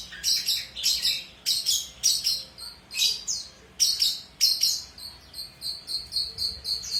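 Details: Long-tailed shrike in strong song as a tutor recording for young birds: bursts of scratchy, high chirping, then a steady series of short, clear repeated notes.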